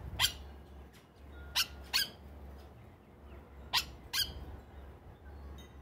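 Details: Yellow Oriole, locally called the Plantain bird, feeding at a bird feeder in Trinidad in the evening before settling for the night, giving harsh, scratchy chack notes, five in six seconds, some in quick pairs, over a steady low hum.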